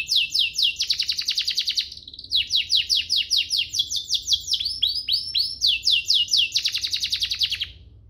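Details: Canary singing ornate phrases, used to teach young birds and prompt singing: rapid series of descending high chips merging into rattling trills, brief pause near two seconds, then more sweeping note runs until the end.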